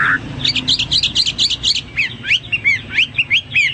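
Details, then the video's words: Hwamei song: a short burst of rapid repeated bright notes followed by several slurred rising and falling whistles, over a low background hum. "Burung Hoa Mi gacor"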